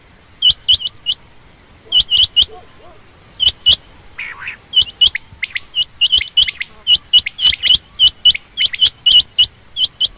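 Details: Female quail calling in dense runs of sharp, high paired chirps, growing busier toward the end, with a brief low buzzy sound near the middle.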